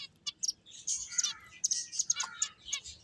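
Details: Finches at play produce quick, high-pitched chirps and short buzzy trills in an irregular stream, several birds overlapping.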